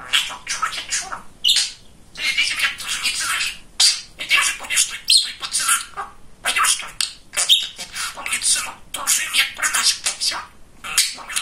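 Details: Chattering, talkative male budgerigar kept as a pet. It delivers long runs of scratchy, mimicked speech-like syllables broken by short pauses, punctuated by a few sharper squawks and chirps.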